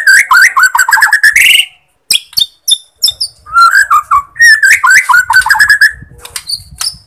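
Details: White-rumped shama of the Borneo form, song played as a lure to rouse sluggish shamas: rapid bursts of rich warbled notes around a mid pitch, then high clipped whistles and sharp chips after a brief pause.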